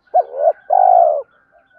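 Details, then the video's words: Spotted dove cooing, a recording used to stimulate other doves to coo: a short hooked note, then a long, low, husky coo, with a faint higher tone running above. "tiếng cu gáy kích bổi hiệu quả mỗi ngày, cu gay kich boi nhanh noi gù"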